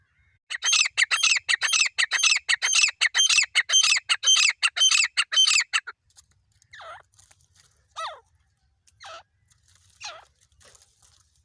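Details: Female black francolin (teetar) calling, in a jungle hunting setting in Pakistan; a fast series of harsh, scratchy repeated notes for about five seconds, then several separate downward-sweeping notes spaced about a second apart.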